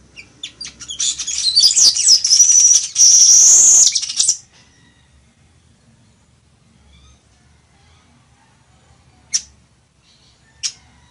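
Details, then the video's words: Weaver, locally called chichiguago, singing a song meant for teaching other birds: a dense, buzzy, high-pitched chatter with sizzling trills that lasts about four seconds. Quiet follows, then two brief sharp chips near the end. "CANTO DE AVE TEJEDOR O CHICHIGUAGO"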